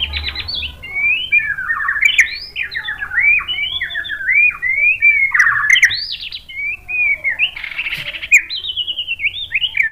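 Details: White-rumped shama song used to stimulate other shamas to sing: a continuous run of varied whistled phrases, sliding notes and quick warbles, mostly mid-high and rich, with a few sharp clicks mixed in.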